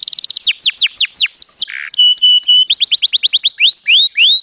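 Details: Canary mating song with rapid falling whistled notes, a low nasal burst, steady flat whistled tones repeated three times, then more descending and rising slurred whistles.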